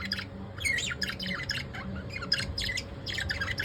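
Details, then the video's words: Evening chatter from pet lovebirds: scattered thin chirps and short squawky notes mixed together, irregularly spaced, over a low background hum. "Pattu Chittu evening vibes"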